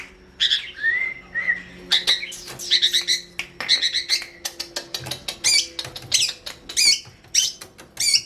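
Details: Long-tailed shrike song used as training audio for other songbirds: a busy run of harsh, scratchy high notes and short clicks, with a smooth rising whistle near the start, repeated in quick bursts.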